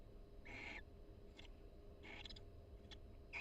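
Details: A barn owl pair in a nest box at the University of Florida calls quietly while preening each other: two breathy rasps with faint clicking between them, ending on a short third rasp.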